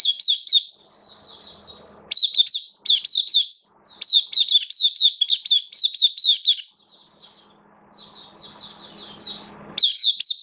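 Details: Oriental white-eye kept for the bird hobby, 11 September 2022, form dipped a little: lively high-pitched twittering in bursts of rapid notes separated by short quiet gaps, faint hum at times.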